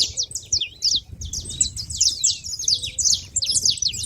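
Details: Feeder gathering of saffron finches giving overlapping bright, high chirps and short buzzy slurs in rapid succession, with a quiet low background.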